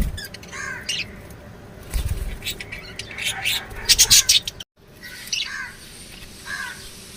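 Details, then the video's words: Lovebirds chirping and squawking: short upward-bending chirps with layered overtones, several harsh squawks in a dense run around the middle, a brief silent break, then three more evenly spaced chirps. "love birds singing sounds"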